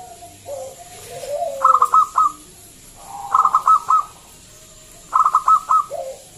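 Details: A local wild zebra dove sings loudly as a lure for other doves: low bubbling coos lead into rapid stuttering phrases of four or five notes, given three times.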